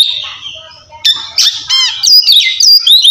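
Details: Ngeplong Oriental magpie-robin song for calling a rival and prompting silent birds; a soft warbling start, then loud rattles and sharp whistled swoops in the final two seconds.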